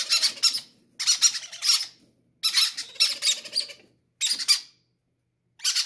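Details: Parrot chicks greedily begging for food; harsh grating squawks in pulsed bursts, some with a faint lower tonal whine beneath, alternating with brief silences.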